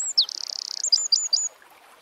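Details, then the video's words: A Eurasian wren (Troglodytes troglodytes) sings in nature: loud, high clipped whistle, rapid machine-gun trill, then quick sharp whistled notes, with faint background hiss. "Birds Singing - Eurasian Wren"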